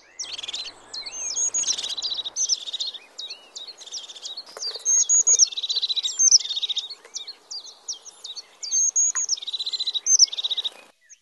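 A European crested tit gives thin, very high notes run into quick purring trills, repeated in bursts every few seconds over a faint rustling background.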